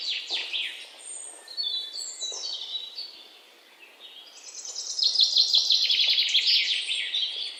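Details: Several parrot chicks, 19 May 2023, giving a busy chorus of thin, high chirps and sliding squeaks that fade midway, then return as a loud, rapid, rhythmic chattering.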